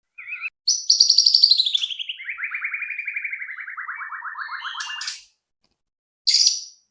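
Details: White-rumped shama singing in a lure meant to make other shamas sing: a short note, then a long rapid trill that starts high and slides steadily lower over four seconds, followed by a pause and a final high burst.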